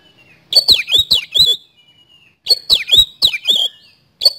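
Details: Oriental magpie-robin singing hard in the fast 'nembak speed roll' style, played as a lure to prompt other birds: two rapid bursts of four or five clicking, rising-and-falling whistles, each ending on a thin fading whistle, then one more note.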